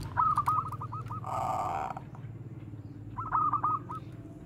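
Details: Zebra dove of the Bangkok perkutut line, played as training bait for other doves, giving rapid rolling koar-koar coos: two quick stuttering bursts of repeated notes separated by a brief noisy rush, over steady low background hum.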